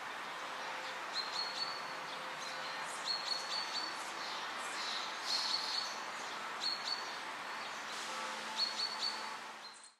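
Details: Eurasian nuthatch (Sitta europaea europaea) in Vilnius, Lithuania, in June 2017 gives short, high, sharp notes in small clusters every couple of seconds, over a steady hiss and a low hum.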